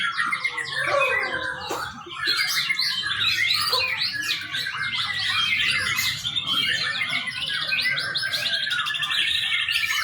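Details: Young white-rumped shama singing, used as a training lure: a dense, continuous run of varied whistles, trills and chattering phrases, rich and loud throughout with barely a pause, with a brief dip near two seconds.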